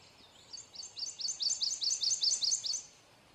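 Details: A male Prothonotary warbler sings a quick series of about a dozen bright, ringing, high notes, each sliding slightly, growing louder, then stopping abruptly over a faint background hiss.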